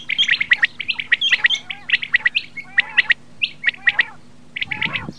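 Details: Calls of common quail (bater): rapid runs of sharp high whistled notes in pairs and triplets, sounding almost continuously with brief gaps, then a rougher noisy burst near the close.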